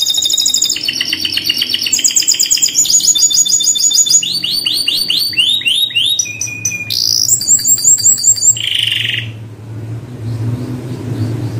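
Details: Canary song: loud, fast trills of rapidly repeated notes that switch pitch every second or so, with sweeping slurred tours and a buzzy high roll, stopping after about nine seconds, followed by a low steady hum.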